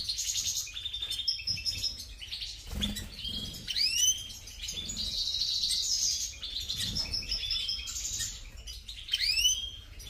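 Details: A European goldfinch (major) sings a lively stream of high buzzy trills and tinkling notes, punctuated by sharp upward-curving whistles, with faint low background sounds.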